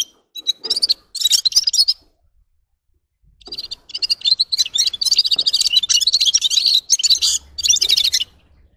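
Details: Two bursts of high, jingling red-fronted serin song are split by a silent gap of over a second; the second phrase is a long run of quick buzzy trills.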